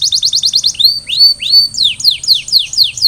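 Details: Canary song aimed at getting other canaries singing: a rapid run of short notes, two long rising whistles, then a series of falling whistled notes.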